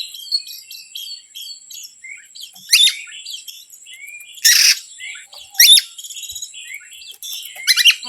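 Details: Oriental magpie-robin song played to provoke other birds, varied high whistles and short twitters punctuated by four loud raspy chattering bursts, with faint speech-free background.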